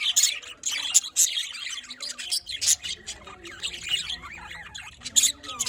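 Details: Colony of small pet budgerigars giving busy, overlapping high chirps and warbled twitters, with louder sharp squeaks in bursts near the start and end.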